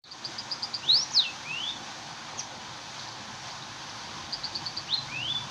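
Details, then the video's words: Munia (burung emprit) singing actively: runs of soft, quick high chirps with sharp rising and falling whistled notes, a short pause, then another chirp series with a thin descending whistle, over steady background hiss. "Burung emprit gacor"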